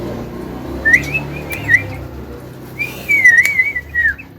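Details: Javan myna (jalak kebo) kept at home, said to call out to girls, whistles two short wavering phrases and then a longer rising and falling whistle, over a quiet room.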